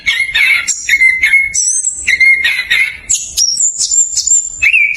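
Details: Orange-headed thrush in fast ngerol song, a lure for thrushes slow to sing: clear whistled notes, some held and level, alternate between mid and very high pitch in short phrases.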